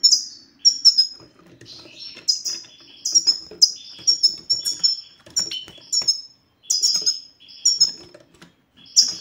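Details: European goldfinch singing, offered as a recording to make silent males sing: rapid liquid twitters and high sliding notes repeated in quick clusters, with small clicks and rustling between phrases.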